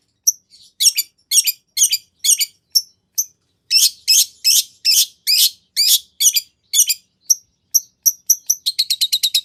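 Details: Cendet, or long-tailed shrike, in energetic full-isian song meant to provoke a reply from other shrikes. Rapid scratchy chips follow one another quickly, ending in a fast, even trill of high notes.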